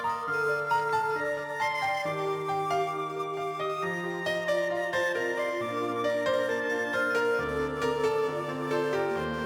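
Gentle new-age music of mallet percussion over sustained low tones, with no animal voice heard.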